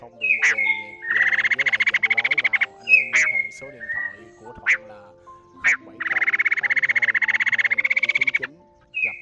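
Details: Laughingthrushes, a male and a female, calling the flock as a trapping lure: two long bursts of fast rattling notes separated by sharp, loud single calls and short whistles, with steady lower tones throughout.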